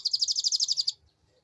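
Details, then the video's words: Canary song for luring other birds, a clear rhythmic trill of about twelve quick repeated notes, evenly spaced and high, stopping abruptly after under a second. "Suara Pancingan Burung Kenari Ngeriwik unik mewah"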